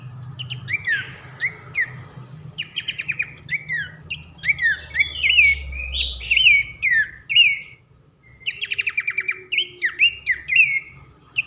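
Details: Horsfield's babbler (pelanduk semak) singing loud 'nembak nyiul' whistled song used as masteran for training songbirds: repeated sliding, downward whistles mixed with fast buzzy clicking bursts, a short pause near eight seconds, low hum underneath.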